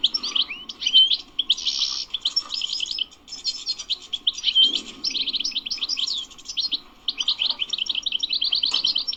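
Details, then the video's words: European goldfinch, wild-caught type, delivering long bitbita song: varied liquid twitters, whistled notes and buzzy bursts, with a long fast trill of repeated notes near the end. "#بتبتات_الحسون #بتبتة #تغريد_الحسون #حسون_خلوي #حسون_بري"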